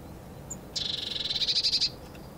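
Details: A Eurasian blue tit eating from a seed ball and singing gives a high, fast trill of rapid repeated notes that swells louder over about a second before stopping.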